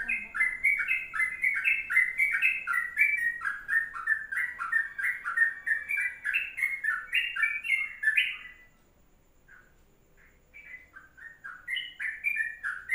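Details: Sooty-headed bulbul in long 'kongslet' (ropelan panjang) song: eight seconds of quick bubbly slurred notes, a two-second silence, then the chattering warble resumes.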